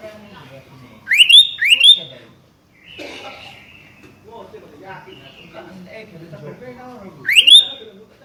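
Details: Sooty-headed bulbul calling to challenge a rival: three loud, clear whistled notes that sweep sharply upward and level off, two close together near the start and one near the end, with softer murmuring sounds between them.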